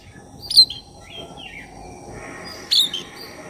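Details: Black-chested oriental magpie-robin singing persistently, a lure recording meant to stir up other magpie-robins: two short, loud whistled phrases with sliding notes about two seconds apart, a few softer chirps between, over steady low background hiss.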